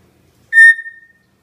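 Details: Pet Senegal parrot in training, whistling on its owner's spoken command: one clear, pure whistled note that starts loud and trails off over about half a second, with spoken commands just before and after.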